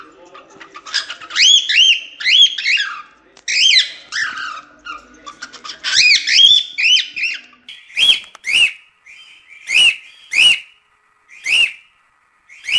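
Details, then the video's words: Cockatiel giving busy warbling chatter of arched whistled notes, then a string of separate loud rising-falling whistled calls spaced about a second apart, with brief gaps of silence. "SOM DE CALOPSITA"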